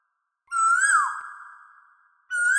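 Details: Asian koel singing. A loud whistled note rises and swells, then levels into a long, fading tone. A second rising note begins just before the end. The background is otherwise silent.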